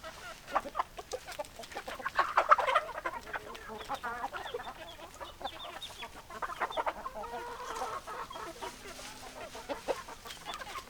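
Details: Flock of chickens, hens clucking in a dense overlapping chorus of short, clipped notes about three per second, with louder bursts near the second and eighth seconds and no clear crow.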